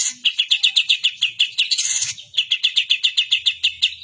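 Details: Long-tailed shrike singing with kapas tembak imitations, repeating a sharp chirping note about five times per second, broken briefly by a harsh rasping burst before the rapid series resumes.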